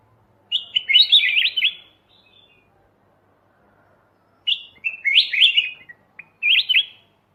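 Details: Kutilang emas mata putih, a bulbul, on a master recording for training songbirds, delivering a rich bubbling phrase of quick slurred whistles, then a long pause before two more lively warbled phrases.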